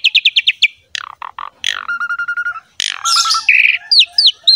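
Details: Captive Asian pied starling singing a gacor master song meant to encourage quiet birds to sing: rapid repeated chips, low nasal buzzy notes, and rising whistled slurs in a varied, busy sequence.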